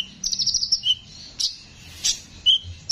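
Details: Konin with a rough voice, singing for songbird training: a quick buzzy trill, a lower whistled note, then harsh scratchy bursts and a clear whistle.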